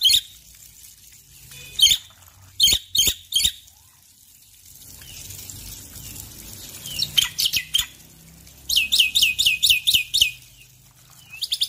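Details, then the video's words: Male Black-winged myna singing in full voice in the morning: loud, harsh, broadband notes spaced apart, then a fast rattling series of about eight bright strokes, over a soft background hiss. "Jalak Putih Jantan Gacor Pagi Hari"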